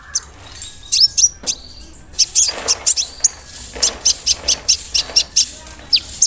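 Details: Brown-throated sunbird, a big-bodied, vigorously singing bird used as a lure to rile other sunbirds: sharp, very high chirps and short sweeps come in rapid irregular bursts, with a faint low hum beneath.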